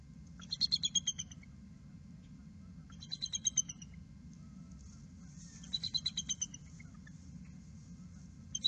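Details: Bald eagle at its nest on March 18, 2018, shortly after noon, during pip watch on the 36th day of incubation, as a mate arrives with fluff. Three bursts of high, thin, rapid chittering notes come about 2.5 seconds apart over a steady low hum.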